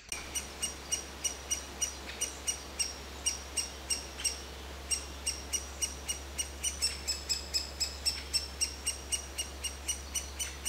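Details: Juvenile great spotted woodpecker calling nonstop from its nest hole while the parents feed it, recorded from 10–15 m beside a busy path: sharp high chirps repeated about four times a second, over a steady low hum.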